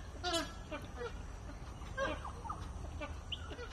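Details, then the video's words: Flock of feeding magpie geese: a loud burst of honking at the start, then scattered shorter honks and clucking notes from several birds, with constant low background hum. "Flock of magpie geese feeding and honking"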